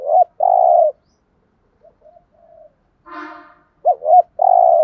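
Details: A spotted dove gives thúc gù coos meant to stir up wild doves: a hooted pair and a long rolling coo, a pause with faint quiet notes and a brief harsher sound, then the phrase again.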